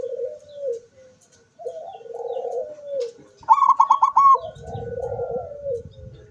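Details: Zebra doves cooing, recorded 24 September 2023 with the beak open: low rolling coo phrases repeat throughout, and a brief loud flurry of rapid, bubbling higher notes cuts in near the middle over faint rumbling.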